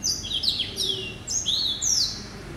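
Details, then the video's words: Male hybrid finch, a cross of Yellow-eyed canary and Timbrado hatched in November 2012, kept as a pet, sings a bright high warble of quick sliding whistles and chirps, phrases running together without pause. "Hybrid Finch ...Yelloweye & Timbrado"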